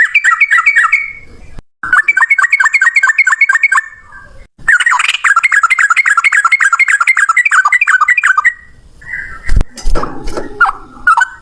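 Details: Yellow-vented bulbul in lively full voice giving a long rolling ropel song in one breath: fast bursts of bubbly repeated notes, nearly three per second, broken by short gaps, ending with scattered clicks and knocks.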